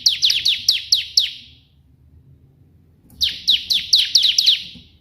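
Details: Lively bar-winged prinia in white-prinia 'shot' style song, suited for tutoring other birds: a quick burst of about seven sharp descending chips, a silent second, then another fast, slightly jumbled run of high notes.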